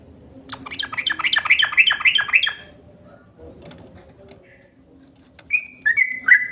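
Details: Lure call of a yellow-vented bulbul: a harsh, rapid chattering burst of about a dozen notes, a pause, then a few clear slurred whistles.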